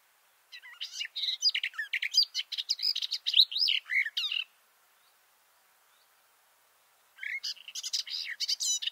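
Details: Male garden warbler heard from just below its bush perch: a sustained, hurried warbling phrase of about four seconds, a few seconds of silence, then a new outpouring of rich, fluid notes.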